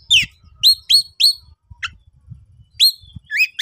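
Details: Oriental magpie-robin, excited konslet-style singing to challenge a rival: sharp downslurred whistles repeated in a loose series, with low rumbling background noise underneath.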